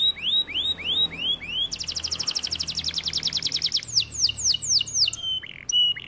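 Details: A white canary sings rising whistled notes, switches to a rapid high pulsing trill, then slower descending swooping notes and a few short clipped chips to finish.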